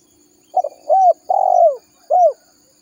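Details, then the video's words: Spotted dove lure call used to draw wild doves in for trapping: one phrase of low, mellow coos, with a short stuttered start, a rising note, a long falling coo and a final clipped note. "Suara Burung Tekukur Gacor Paling Ampuh Untuk Pikat Dan Pancingan"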